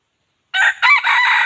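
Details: Wild chicken, or red junglefowl, crowing to attract other chickens; a harsh, loud crow starts with a short note, then a drawn-out rasping syllable, cut off before it ends, over complete quiet.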